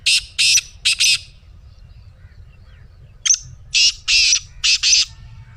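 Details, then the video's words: Black francolin's grating call, used to start a pet francolin calling: two phrases of harsh, buzzy, rasping notes, each about four notes in pairs, separated by a quiet gap of about two seconds. "Black Teetar Voice"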